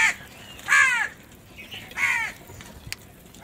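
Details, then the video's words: A crow feeding in the morning gives three hoarse, drawn-out caws about a second apart over a quiet rural background. "Crow eat and crow barking | crow foods time In Morning"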